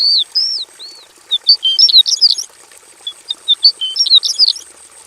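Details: Javan bush lark in a simple aviary: a few clear slurred whistles, then scattered thin high chips and twitters in quick clusters, fairly quiet, with a steady high-pitched background tone.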